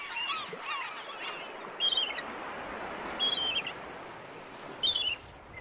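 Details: Black-headed gull uttering three loud, harsh, clipped calls about one and a half seconds apart over a steady murmur of distant calling.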